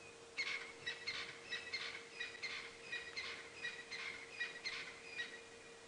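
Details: Crested francolin (Ortygornis sephaena) calling with harsh, rattling bursts repeated quickly over several seconds, steady low hum beneath; Djuma Game Reserve, South Africa, on a very quiet, cooling morning around 7 AM, 25 September 2016.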